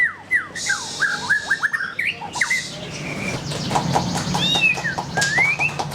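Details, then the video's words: White-rumped shama delivering descending whistled slurs and harsher scratchy notes, followed by high upward-sweeping whistles, over a noisy low background hum. "SUARA BURUNG : Pilih Murai Batu Gacor"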